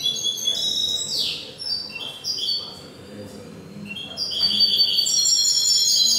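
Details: European goldfinch song from an indoor finch singing contest with hybrids in Cádiz, Spain, April 2019; high tinkling notes and a quick descending slur, a quieter gap, then dense twittering returns over low room murmur.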